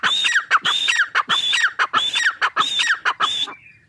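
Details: Dakhni teetar, the grey francolin, calling loudly and steadily. Grating, ringing two-part phrases, a high squealing note and then a lower falling one, come about six or seven times in quick regular succession before stopping abruptly.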